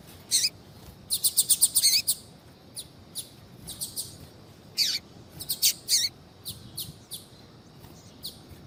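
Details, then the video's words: Calls from a female double-collared seedeater meant to stimulate a male to sing: a dense cluster of rapid, high, metallic chirps in the first two seconds, followed by spaced single notes and pairs. "FÊMEA DE COLEIRO CHAMANDO PARA ESQUENTAR COLEIRO TUI TUI"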